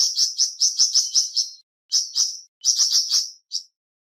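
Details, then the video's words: Flamboyan bird singing: bright, high whistled chips repeated about five times a second in bursts of several notes, separated by short pauses. "Terapi Cepat Bikin Burung Flamboyan Buka Paruh dan Gacor"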